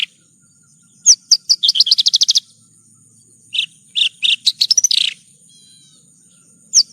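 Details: Branjangan (bush lark) song in a one-hour tutor recording: a fast trill of about a dozen high chirps, a pause, then lower whistled notes and a buzzy flourish, with a faint steady high hum.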